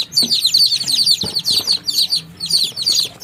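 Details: Many baby chicks peep together, rapid high-pitched chirps overlapping in a constant chorus, with a few soft low clucks and rustling underneath.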